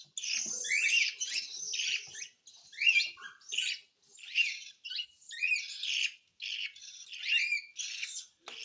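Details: Cockatiel begging while being hand-fed: rhythmic series of harsh, grating squawks, roughly one burst per second, each rough and noisy with short rising inflections.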